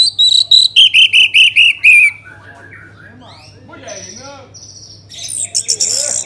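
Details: Orange-headed thrush song used to prompt other birds to sing: eight rapid, evenly spaced whistled notes falling slightly in pitch, followed by softer warbling and a burst of high sharp notes.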